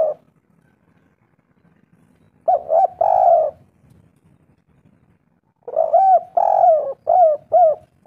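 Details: Spotted dove calling as a lure for other doves to answer: two loud phrases of short coos and a drawn-out coo, the second followed by several quick repeated coo notes.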